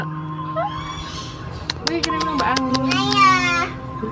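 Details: A trained Nias hill myna imitates a human voice, as in Quran recitation and singing, with a run of harsh, voice-like syllables and sharp clicks, then a drawn-out nasal phrase, over a steady indoor hum.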